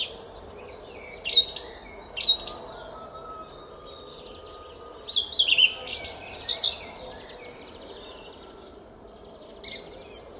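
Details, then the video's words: Spring dawn, 06:15 on 10 April 2021, in a garden at Szalkszentmárton, Hungary: a song thrush gives spaced high phrases, a cluster of rapid sharp notes around the middle, then a long quiet gap before a final burst. "ÉNEKES RIGÓ TRILLÁZIK A KERTÜNKBEN!"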